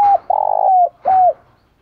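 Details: Spotted dove decoy call used to lure doves: loud low cooing in three parts, a short hoot, a longer throbbing coo, then a drawn, slightly falling coo, clear and close with little background.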